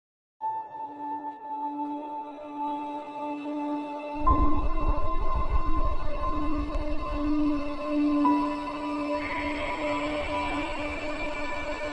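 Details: Sustained ambient music with steady drone tones and a deep swell entering after four seconds, with no animal voice heard.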